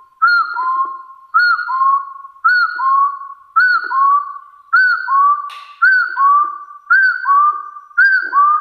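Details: Challenge call of a hill partridge aimed at rivals: rhythmic double whistles, each a sharp arched first note followed by a drawn-out lower whistle, eight repeats at an even pace with a faint click midway.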